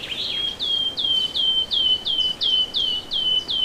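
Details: Bird singing in the morning: a clear run of about nine repeated notes, each a short downward sweep settling into a steady high whistle, roughly one every third of a second.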